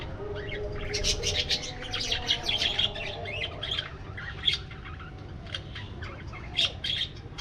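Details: Budgerigars in an aviary chatter loudly at first, with rapid overlapping chirps and warbles, then grow sparser with occasional sharp tweets. A steady low hum runs throughout.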